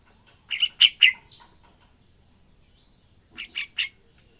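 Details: Young yellow-vented bulbul practising its continuous song: a quick run of three loud chirpy notes and a softer trailing note, then after a pause a second burst of three rising chirps.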